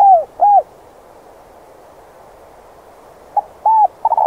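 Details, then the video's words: Decoy spotted dove, cage-kept and used to lure wild doves: a few short mid-pitched coo notes open the recording, then a long quiet gap, then a closing run of similar coos. "Tiếng cu gáy mồi gọi bổi siêu nhạy"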